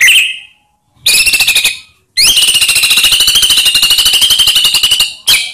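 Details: Shama lure aimed at provoking silent white-rumped shamas: brief whistle, then a short buzzy burst and a long, steady, rapidly pulsed rattling trill lasting about three seconds, clipped at the end.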